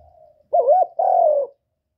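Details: Spotted dove coo, used to stimulate newly kept birds: two loud, mellow coo notes, the first wavering and the second long and falling slightly, over a quiet background.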